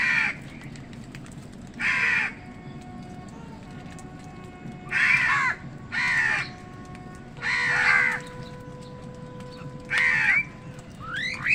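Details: A run of six loud, rasping caws at uneven intervals as crows fight wild birds for food; faint steady tones and low hum persist throughout.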